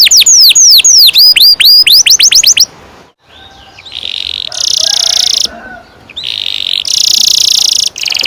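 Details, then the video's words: Canary song for teaching young canaries to sing: a burst of swooping, downward-curving whistles, a short silence, then harsh buzzy sustained rolls in two long bouts. "Kenari gacor NGEROL PANJANG cocok untuk PANCINGAN KENARI PAUD bikin BURUNG KENARI GACOR PANJANG"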